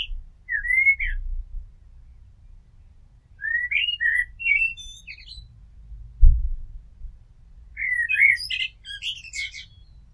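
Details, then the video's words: Common blackbird song with three spaced phrases of fluty, slurred whistles and high chattering endings, while a low background rumble and a brief thump sound underneath. "Amsel Gesang - Merle Noir Chant - Blackbird Song - Mirlo Cantando"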